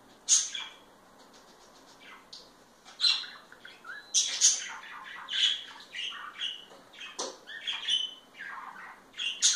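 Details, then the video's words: Parakeet pair being affectionate, trading sharp high chirps and scratchy squawks, with quiet ticking notes early on and then denser chattering bursts. "Mimos entre periquitos"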